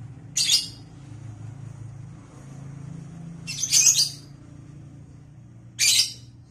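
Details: Three harsh, high lovebird screeches spaced a few seconds apart over a steady low hum, recorded as vocal training for the bird.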